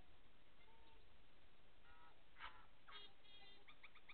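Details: Two tui (Prosthemadera novaeseelandiae) singing and showing aggression in a bottlebrush tree at Okahukura Conservation Area, Tapora: scattered pure whistled notes, sharp clicks and a quick run of repeated bell-like notes near the end, over a low background rumble.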